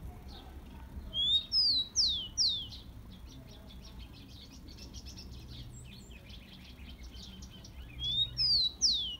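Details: Tico-tico, the rufous-collared sparrow, singing a warm-up song for caged birds: a rising whistle followed by two or three falling slurred whistles and a fast buzzy trill, the phrase returning after about seven seconds over faint background noise.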